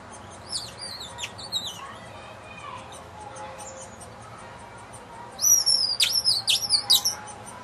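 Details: A hungry baby woodpecker being fed at a bird house on a front patio. It gives shrill, very high, squeaky down-slurred calls in quick bursts, a softer run early and a louder, rapid series near the end over faint background hiss.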